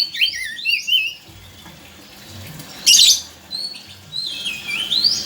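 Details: Oriental magpie-robin song meant to coax a silent bird into singing: softer slurred whistled phrases, a short harsh scratchy burst midway, then more rising and falling whistles over faint background hiss.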